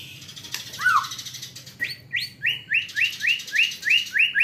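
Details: White-rumped shama song with mimicked hanging parrot (srindit) notes in a fighting style: a lower whistled slur, then a fast series of about nine identical sharp rising-falling chips repeated roughly three times a second.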